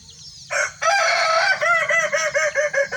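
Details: Kukuak Balenggek roosters, a red and a yellow bird crowing together in one cage as a contest; a long harmonic crow opens, then breaks into a rapid stepped series of short looping notes, about eight in two seconds.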